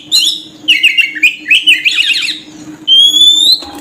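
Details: Oriental magpie-robin lure song used to attract birds: bursts of chattering, warbled notes, then a long, clear, slowly rising whistle near the end, over a steady low electrical hum.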